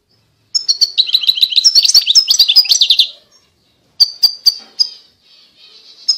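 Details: European goldfinch giving a rapid run of bright twittering notes, followed by a few separate sharp high chirps and a soft thin wheeze.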